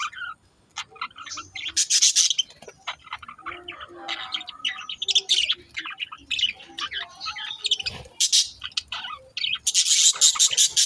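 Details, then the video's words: Pet budgerigars chattering and talking together, a busy stream of scratchy warbles, clicks and bright high chirps with loud bursts of rapid twittering. "They're talking"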